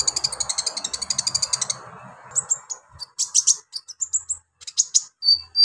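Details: Lively Brown-throated sunbird delivering harsh, rough song phrases used to excite other sunbirds. A rapid, even train of very high ticking notes runs for almost two seconds, then gives way to scattered buzzy chirps and short thin whistles.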